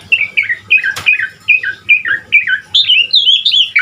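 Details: Asian pied starling song with varied fill-in phrases: evenly spaced downslurred whistles, about two per second, leading into higher warbling notes, with a single sharp click early on.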